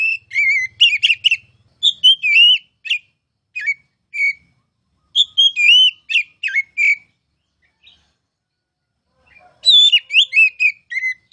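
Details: Caged oriental magpie-robin singing for song-tutoring, in the ngeplong style: bursts of sweet whistled and slurred notes in rapid phrases, broken by pauses of about two seconds, with a longer silence near the end before a last burst.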